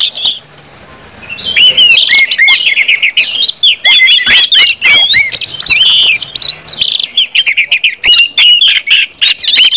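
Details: Long, unbroken ngeplong song of orange-headed thrush, meant to stimulate other birds into singing: many quick clicks and chattering notes woven through repeated downslurred whistles, with a thin sustained tone near the start.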